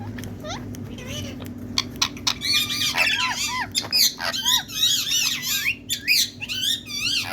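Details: A green Indian talking parrot in a talkative mood chatters in bursts of shrill, arching squawks and word-like mimicry, about two per second, over a low steady hum.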